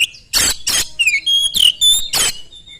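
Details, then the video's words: Short burst of Oriental magpie-robin lure song: harsh rasping notes interleaved with clear descending and level whistles, fast and loud. "kacer gacor sangat cepat memancing kacer nyaut ikut gacor dengan suara tembus"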